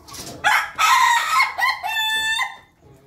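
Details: An Ayam Ketawa rooster in a coop where the flock is feeding crows loudly in a broken series of about five harsh, stuttering segments over two seconds, ending in a clear, level tone that fades.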